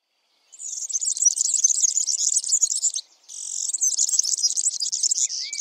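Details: A male European serin in Central Europe sings its spring song from a high perch: a very high, fast, jingling trill run on for seconds, a brief pause, then the same glassy, rattling jingle again.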